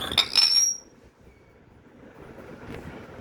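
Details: A pet myna gives one brief, shrill burst of harsh noise and high whistled notes lasting under a second, then falls silent over faint room hum.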